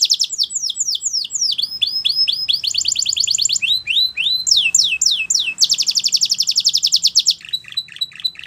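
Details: Belgian canary song used for training young canaries: fast rolled trills of repeated descending high whistles, switching between tours every second or so, with a buzzy rapid trill section near the end.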